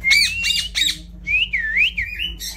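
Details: Indian ringneck parrot, shown as a talking bird: three harsh, raspy squawking bursts in quick succession, then a long wavering whistled phrase that dips and rises, ending in a short squawk; faint low hum beneath.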